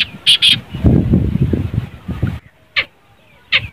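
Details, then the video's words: Black francolin (kala teetar) voice played to prompt a silent francolin to call: harsh, grating notes in short bursts, two close together, then two more about a second apart, with low human voices between. "kala Teetar ko Bulany Wali Awaaz"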